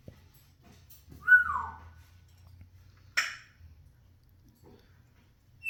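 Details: Pet parrot making annoying repeated sounds when it wants to be the center of attention: a quick high whistle sliding downward, then after a pause a short, harsh, noisy burst, in a quiet indoor setting.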